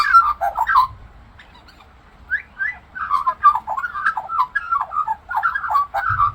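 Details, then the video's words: An Australian magpie sings and mimics other birds, pouring out rich warbled whistles and gurgles; a short burst, then about a second and a half of quiet, then a longer run of fluty, wavering phrases. "Talking Australian Magpie Sings and Mimics Birds"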